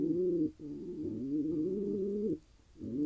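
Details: Male pigeon, wild, Israel, content after pairing with a mate: one long, low, droning coo lasting over two seconds, then a pause and the start of another.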